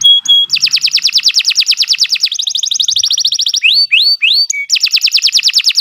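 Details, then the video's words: Long energetic song of a Nusantara canary, recorded as training material for other birds: rapid buzzy trills alternating in pitch, then a series of rising whistles and a short steady tone before another fast trill. "Kicau Burung Kenari 103 II GACOR PANJANG Cocok untuk Masteran"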